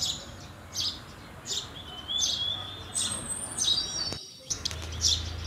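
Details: House sparrow chirping: short, bright chirps repeated irregularly, roughly every second, with a thin whistled note drawn out in the middle and a low steady hum underneath.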